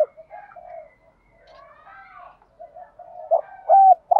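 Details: Soft low murmuring coos from a spotted dove, given to stimulate other doves with urging and calling coos, build toward louder abrupt hollow notes near the end. The background is quiet.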